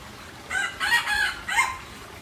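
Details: Crowing junglefowl, Aceh: three strong harmonic bursts in quick succession, the middle one longest and the final note swinging upward, over steady faint background noise.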